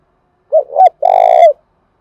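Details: Spotted dove calling vigorously, used to lure other doves: two short low hooting notes followed by a longer, steady, slightly wavering coo, all soft and mellow.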